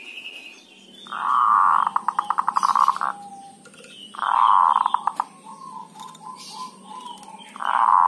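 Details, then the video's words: Local Javanese zebra dove kerot call used as a lure: harsh buzzy low bursts repeated three times, one trailing into a rapid stutter of short pulses, with quieter notes between. "perkutut dhuduk dan kerot"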